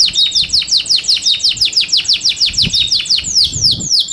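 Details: Kept Yorkshire canary singing for competition: a steady rapid series of downward-sweeping chirps, roughly three per second, continuing throughout with a few longer slurred notes at the end.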